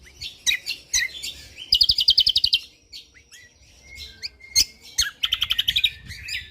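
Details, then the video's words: Lombok white-eye in full, dense song: rapid bursts of high chattering trills, fast repeated buzzy notes, with thin whistled slurs and short pauses between volleys. "Cucak Kombok Juara / Kecial Kombok Gacor Full Tembakan rapat"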